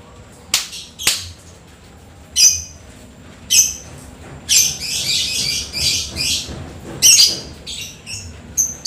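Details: Lovebird singing after rain with typing-like chatter and long shrieks: sharp high chirps, then a sustained harsh, buzzy squealing passage of several seconds, followed by more scattered chirps.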